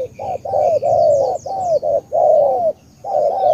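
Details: Spotted dove from Cà Mau, Vietnam, cooing in the local style called tú: short low coos lead into long, slightly falling coos, repeated in a steady chain. Faint high chirps from other birds are heard above.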